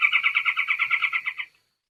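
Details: Orange and black barred crake of the Andean foothills and Amazonian lowlands, in dense wet secondary growth: a musical, bouncy trill of about twelve evenly spaced notes over one and a half seconds, fading at the end.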